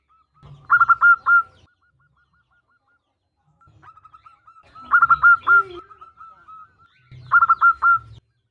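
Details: Calling female zebra dove, a local bird, summoning a male: three short bursts of quick, even cooing notes, separated by soft trailing notes, with a low murmur below.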